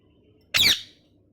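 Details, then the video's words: Pet parrot, molting, giving one short harsh high squawk indoors, loud and abrupt, then quiet. "Parrot Chirping Sounds"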